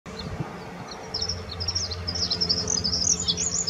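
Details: Bluethroat singing at the Offstein settling ponds: after a quiet start, a stream of high, thin, twittering and buzzy notes builds and grows busier, set against low rumbling background noise.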